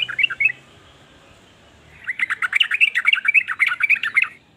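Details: A sooty-headed bulbul gives a brief chirpy phrase, then after a quiet gap breaks into a fast, bubbling string of warbled notes lasting over two seconds.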